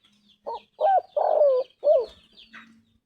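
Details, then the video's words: Spotted dove giving a looser phrase of rising-falling coos, four notes with the third long and descending, over a low hum and faint birds twittering. "Tekukur gacor suara emas"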